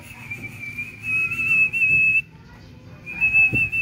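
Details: A tame pet myna gives long, steady, high whistled notes, one held about two seconds, then a pause and another begins, over a faint low indoor hum.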